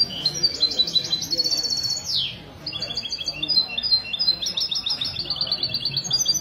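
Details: European goldfinch in mistou song on a Sunday morning, 16 February 2020, at a café in Ksar El Kebir, Morocco: long bright twittering phrases of rapid repeated high notes, a brief downward slur midway, over low crowd talk.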